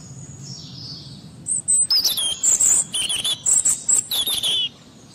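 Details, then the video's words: A European robin sings a quick run of high, thin, tinkling notes with sharp falling slurs, about three seconds of varied phrases over a quiet background. "Canto Robin"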